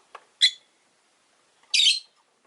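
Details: Caged rosy-faced lovebirds, orange-faced green birds in a flock of five beside a window, make one short harsh chirp, then after a second's pause a longer, rasping screechy chirp.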